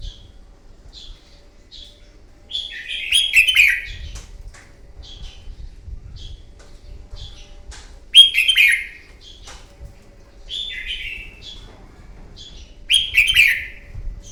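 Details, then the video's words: Red-whiskered bulbul, a wild-caught bird, in intense morning contest singing meant to rouse and train caged birds. Loud, slurred warbling phrases come about every five seconds, each a bright burst dropping in pitch, with soft chips between. "Kích chào mào bổi hót đấu, luyện giọng chào mào hót đấu buổi sáng kích chim hót đấu căng lửa"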